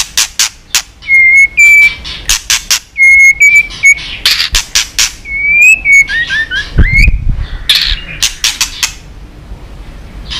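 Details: White-rumped shama provocation song with continuous snapping clicks: loud sharp click bursts alternate with clear, level whistled notes and short rising slurs, becoming more jumbled in the second half.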